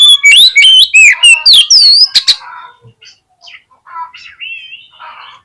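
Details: Oriental magpie-robin song used as a lure to make a bird open its tail and fight: a rapid run of loud, piercing whistled notes sweeping up and down, about four per second, then fading into softer, scattered twitters.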